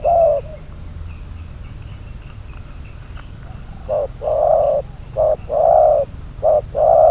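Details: Trapping decoy spotted dove: one low coo, a few quiet seconds of hiss, then a series of short and drawn-out hollow coos alternating steadily to the end.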